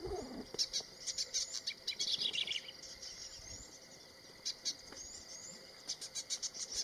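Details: Boran cisticola in Uganda, where this species is expanding in from neighbouring Kenya: bursts of short, high, clicking chirps, a brief descending buzzy phrase in the middle, then a quieter pause before another run of quick repeated notes.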